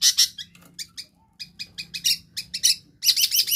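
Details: Long-tailed shrike mimicking many other birds, a lure to restart singing in silent birds: a varied jumble of thin, high squeaks and short chirps with uneven spacing, ending in a dense rasping burst.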